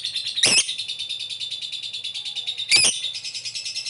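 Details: Lovebird ngekek call meant to prompt a fast response, continuous rapid high rattling trill broken by two sharp rasping squawks about two seconds apart.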